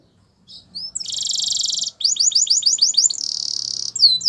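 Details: Canary singing for training, with a buzzy sustained rattle, a run of rapid bouncing slurred notes, and another dense buzzy trill, preceded by a couple of thin rising whistles.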